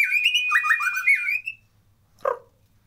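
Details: White-rumped shama song from a natural recording without effects: quick, varied, rippling whistled phrases that tail off, followed after a pause by a single short harsh, rasping note.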